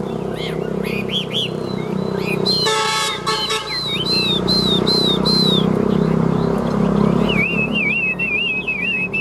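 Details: Caged Chinese hwamei performing fighting song with tail fanned and wings flicking: looping whistled phrases and arched notes over steady engine rumble, with a brief harsh horn-like blast and a closing fast quavering trill.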